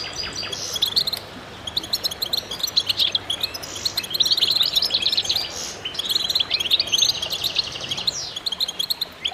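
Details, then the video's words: A chorus of goldfinches twitters nonstop, with overlapping bright, tinkling phrases and quick high trills from several birds at once. "voices a chorus of goldfinches in concert"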